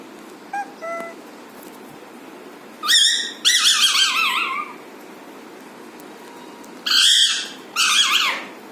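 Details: An Alexandrine parakeet, a pet named Masha, gives two pairs of loud, harsh, wavering screeches with a trilled quality, each about a second long, after a few faint short notes at the start.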